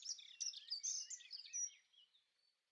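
A Dunnock sings a quick, high, jumbled warble of squeaky notes lasting about two seconds before fading out, with no other sounds present.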